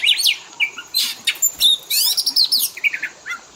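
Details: Oriental magpie-robin lure and fill-in song for training kept birds to mimic: rapid high chirps, sharp upslurred whistles and buzzy trills in quick bursts, no other sounds.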